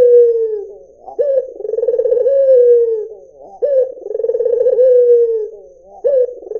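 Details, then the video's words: White Barbary dove repeating its purring coo about every two and a half seconds, steady and close; each phrase starts sharply, trills roughly, then flattens into a soft descending drone. "SUARA PUTER PUTIH || JERNIH 3 DETIK LANGSUNG NYAUT || SUARA BURUNG PUTER MERDU"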